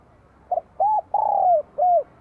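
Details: A Vietnamese spotted dove of the bell-voice type, spring 2023, sings one phrase of four coos: a soft opening note, an arched coo, a long falling coo and a closing arched note.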